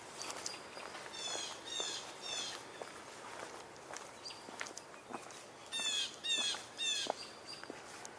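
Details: Blue Jays call in the dark near the Rice Hall parking lot area, where squirrels are about. They give harsh, buzzy calls in two bursts of three or four, with a thin high whistle and soft rustling underneath.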